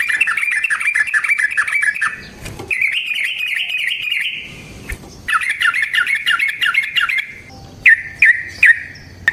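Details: Yellow-vented bulbul performing a long fighting song, played as a lure and training recording. Harsh, fast rolling chatter comes in long stretches, broken by short gaps and a few sharp clicks.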